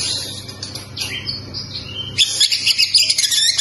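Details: ['Oriental magpie-robin (kacer) singing in a recording meant to spur other kacer into song. Soft high twitters and slurred notes come first. Then a loud burst of fast, chattering, varied phrases follows. A low background hum is present.']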